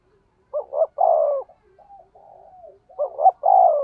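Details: Decoy spotted dove with a 'thổ' voice, 'thúc gù' cooing: a double short note leading into a sustained falling coo, a pause of soft mumbles, then the same phrase again.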